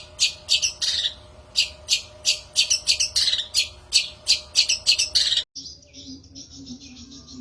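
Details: Long-tailed shrike song used as a lure recording for trapping shrikes: harsh, scratchy high notes in rapid, uneven bursts for about five seconds, then an abrupt cut to a thinner, steadier high warble.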